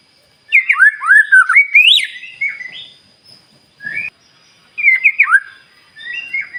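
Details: Morning song of a white-rumped shama, used as a lure to make other birds answer: an opening burst of looping whistled phrases, then shorter rising fragments separated by pauses.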